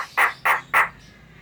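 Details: Javan myna, called jalak kebo locally, giving three loud, harsh squawks about a third of a second apart, recorded as a lure to prompt other mynas to sing.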